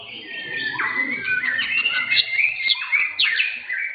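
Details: Caged blorok white-rumped shamas singing at an Indonesian bird contest; rapid, varied whistles and sharp downslurred notes in quick succession, several birds overlapping into a dense, bright chorus.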